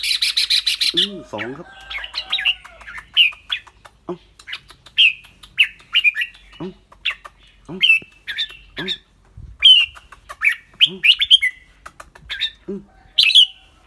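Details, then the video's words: A caged red-whiskered bulbul in Thailand singing clear, short whistled phrases that rise then fall, repeated roughly every second, with a man's low murmured encouragement and brief speech between notes. "นกกรงหัวจุก เจ้าขวัญโชค เสียงใส ๆ ทั้งร้องทั้งริกๆสะใจๆครับ"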